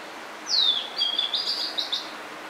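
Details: Spring song of a blue-and-white flycatcher, summer visitor at Hakone, Japan: a high whistled note sliding down, then a wavering sustained phrase ending in quick, sharp high flourishes, against soft background hiss.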